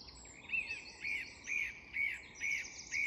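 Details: Song thrush singing in an English woodland at dusk: a burry, slurred phrase repeated six times, roughly every half second, over a steady background hiss of the dusk chorus.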